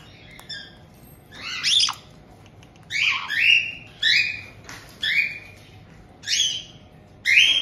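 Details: Welcoming a new young bird just over two months old, a resident pair of captive white-bellied caiques in Tokachi, Hokkaido, June 2023, gives short harsh screeches, about seven bursts spaced roughly a second apart.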